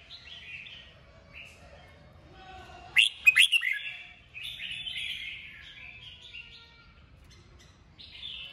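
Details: Red-whiskered bulbul song used to stimulate other bulbuls to sing: quick, bright warbled phrases and chirps, with a short burst of sharp clicks partway through.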